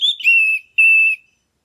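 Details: An orange-headed thrush gives its long "ngeplong" whistles, used as a lure to raise a stalled bird's breeding drive: two long, clear, steady whistles, the first sliding down from a higher start, each about half a second long.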